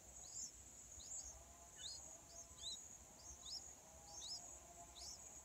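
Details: Wild yellow-vented bulbul, mother feeding chicks on day 4: thin, high, quick chirps repeated about once every second, over a steady high-pitched insect-like hiss and faint low rumble.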